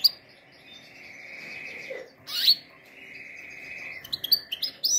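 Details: Canary song used for training canaries: long, steady whistled tones held for over a second, broken by a sharp scratchy burst, then a lower drawn-out note and quick high chirps at the end.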